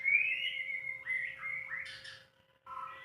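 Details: Loud clear whistling of a White-rumped shama, unedited: smooth sustained notes dipping and rising, a brief high chattery flourish, a pause, then a further short whistled phrase over a faint hum.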